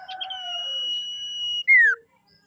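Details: A female common iora, recorded as a lure to excite males, holds a long, steady, high whistle for over a second, then gives a loud, clear whistle sliding downward.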